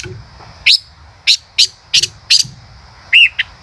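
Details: A male common rosefinch sings a quick run of five sharp, rising chip notes, then a looping whistled note and a final short chip. A steady high background tone is audible.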